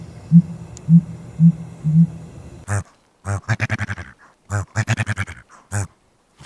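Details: Dusky Grouse courtship: males display to attract watching females, making sounds from inflated neck air sacs. Four soft, very deep hoots about half a second apart, followed by louder rough, clattering bursts in quick runs.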